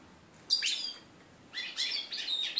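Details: Hybrid mule of red-breasted flycatcher and canary, bred in 2013, singing its first song after its moult in January 2014: high bright chirpy phrases with twittering trills, a short phrase then a longer burst after a pause.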